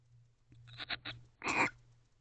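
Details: Owl couple allopreening in their nest box at night, 2:07 am, 8 November 2023; a few quick rhythmic scratchy pulses followed by a louder, breathy rasping hiss lasting about a quarter second, low hum beneath.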